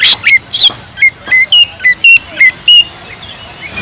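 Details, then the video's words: Greater green leafbird song with kingfisher-style phrasing used for tutoring: a loud opening burst, then steady clear whistled notes about three per second, alternating slightly higher and lower in pitch. "PANCINGAN CUCAK IJO GACOR ISIAN ISTIMEWAH TENGKEK UDANG"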